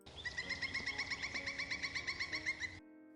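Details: A Pileated Woodpecker in Minnesota gives a fast, even series of about fifteen loud, ringing notes, roughly six per second, lasting under three seconds; its usual call, most often heard when one is around.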